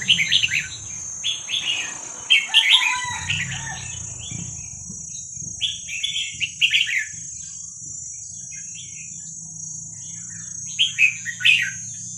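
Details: Wild Vietnamese red-whiskered bulbul young, recorded for training young birds, gives short bursts of bright, chattering warbled phrases every one to two seconds with pauses between. A constant high whine and a low rumbling hum run underneath.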